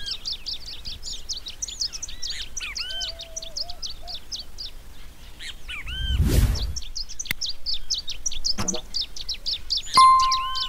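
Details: Long-tailed reed finch singing persistently: a dense, rapid stream of high, sharp chirps and twitters, with occasional lower downslurred whistles and a brief level whistle. A thud of noise interrupts midway, and a steady tone appears near the end.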